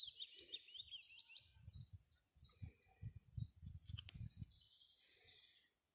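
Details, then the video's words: Willow warbler singing from close by on a windy day: a soft, sweet cascade of whistled notes sliding downward in the opening second and a half, then fainter high notes, with steady low wind rumble throughout. "Willow Warbler"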